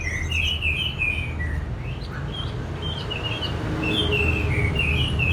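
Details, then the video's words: Orange-headed thrush giving a soft, continuous warbled song of short slurred notes rising and falling, over steady low background rumble. "Terap1 Suara ANIS MERAH Macet Bunyi Agar Mau Kenceng Dengar Kicauan Ini."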